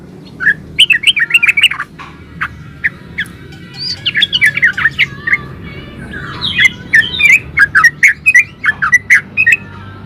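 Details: Lively 'gacor ropel' singing of a yellow-vented bulbul, played to provoke other bulbuls into answering: dense chattering bursts of bright, bubbly notes, rapid and irregular for ten seconds, with steady low background hum.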